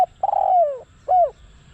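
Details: Close spotted dove used as a decoy to attract wild doves, with a drawn-out coo sliding slightly downward, followed by a shorter curved note, clean and loud.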